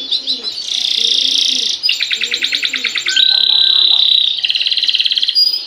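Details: Canary in long 'gacor' song meant to make other canaries join in, switching between buzzy rolled phrases, fast repeated-note trills and a sustained pure whistle before another rapid trill.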